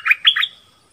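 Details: Dok taeng decoy calling for a mate in the forest, 13 January 2021. Three rapid, rich, throaty whistled notes, the last stretching into a thin fading tone.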